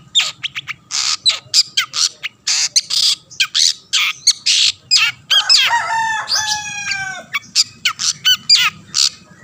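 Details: Long-tailed shrike singing to draw other shrikes into song: rapid rasping squawks, then a passage of ringing, descending harmonic notes around the middle, followed by more harsh chattering bursts.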